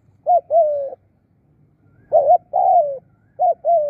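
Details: Decoy spotted dove calling birds in with 'khu' and 'khrun' coos: three evenly spaced pairs, each a short bent note leading into a sustained, gently sinking coo, with a near-silent background.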